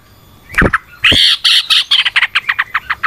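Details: A yellow-vented bulbul, played to stimulate other bulbuls, opens with a few notes, then a drawn-out harsh phrase, then a quickening string of short chattering notes.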